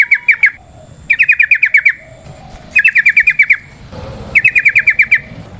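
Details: Yellow-vented bulbul in lively wild-style 'ropel panjang' song, used as a lure to stimulate other bulbuls: four bursts of rapid, harsh, evenly pulsed chattering notes, about seven per burst, with short pauses between.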